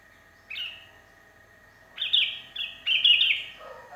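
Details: Lonely sooty-headed bulbul singing vigorously, calling to its companions, used as a lure: a single short fluty note, then a bubbly run of three quick whistled phrases near the end, over a faint steady background hum.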